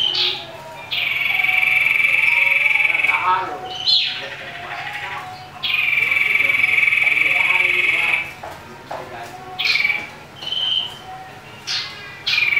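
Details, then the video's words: Common iora singing furiously at a rival, used as a lure: two long, level, piercing whistles of nearly three seconds each, separated by short chattering notes, then scattered sharp chirps. "Cipoh Tarung Ngamuk"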